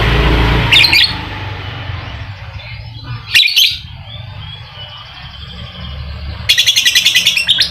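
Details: Lovebird ngekek, played to coax a quiet bird into singing: two short sharp chirp bursts separated by a low noisy stretch, then a rapid run of high repeated chirps closing the passage.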